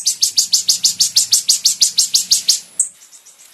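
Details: Training recording for caged birds of a Van Hasselt's sunbird: a regular series of high, piercing downslurred notes roughly three per second, trailing off into a few faint high notes.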